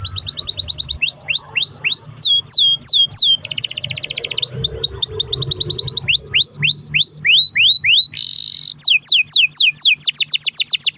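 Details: Canary singing a long roll in full form, used to prompt other canaries to sing: fast buzzy trills, repeated falling whistled sweeps and rising slurs in varied series, with a brief low rumble in the middle.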